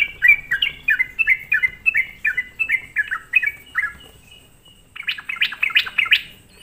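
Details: Sooty-headed bulbul lure song aimed at provoking other bulbuls: a fast string of slurred falling notes, a short pause, then a brighter, harsher burst of rapid notes.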